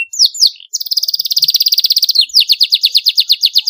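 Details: Canary song used to stimulate young birds learning to sing: sharp rising chirps, then a long rapid trill of buzzy high notes and a second pulsed trill, all clear and high-pitched.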